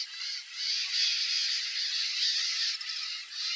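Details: White-eyed parakeet (Psittacara leucophthalmus) in Brazil, guarding its nest entrance in breeding season, gives a steady stream of harsh, grating, high-pitched rasping screeches with brief dips in loudness; no other clear sounds.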